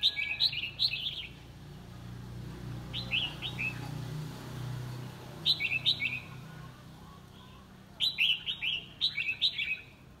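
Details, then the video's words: Red-whiskered bulbul singing in a competition, four separate bursts of rapid, chirpy warbled notes spaced a few seconds apart, with a low droning hum beneath. "Chào mào hót đấu"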